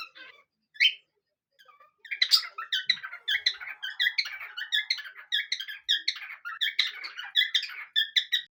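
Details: Parrots singing a duet indoors, more eager to sing as sunny days increase; after a few scattered squeaks, a dense, continuous chattering warble of rapid squeaky and raspy notes runs for about six seconds.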